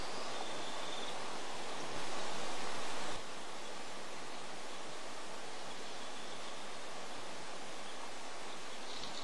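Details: Constant broad rushing noise like wind or surf, with no animal call audible.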